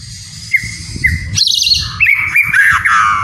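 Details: White-rumped shama song meant to get idle captive birds singing: clear level whistles with dipping ends, then a burst of high jumbled notes and a sustained wavering whistled phrase over low rumbling background noise.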